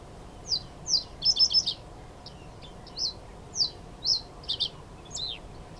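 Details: In reedbeds at Elmley Nature Reserve, Bearded Reedlings approaching, probably about to fly over, give short bright metallic pings, singly and in quick clusters of two or three, over about six seconds against a soft low hum.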